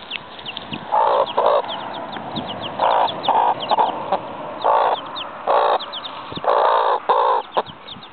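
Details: Seven chicks with their mother hen in a yard: constant high, thin peeping from the chicks, with repeated soft, muffled thumping or clucking bursts and background noise.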